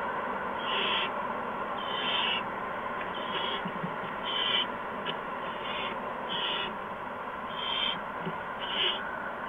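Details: Nest owls on March 13, 2015, shortly after 8 PM, during feeding visits with mice and a gopher for the owlets. Softer, shorter hisses sound at irregular intervals, roughly eight times, against a constant hum.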